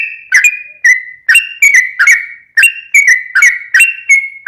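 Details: Sooty-headed bulbul recording used as a lure to get a caged bird singing back: a steady chain of clear whistled notes, some stepping up and others sliding down, about two or three a second.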